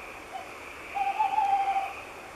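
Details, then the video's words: Tawny owl singing in the dark of night, high up in an oak: a single wavering, quavering hoot lasting about a second, with a faint steady hum underneath. "Chouette hulotte ( Strix aluco ) , chant dans la nuit"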